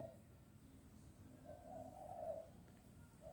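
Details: A wild zebra dove calling in the morning near a home gives soft, low, rolling coos: a brief note, then a longer burred phrase, and another starting at the end, over a faint low hum.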